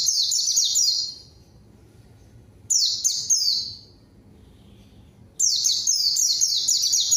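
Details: Pleci, a white-eye, in a lure recording meant to provoke a rival and start quiet birds singing: three bright bursts of fast, high, tumbling descending twitters split by silent gaps of about a second.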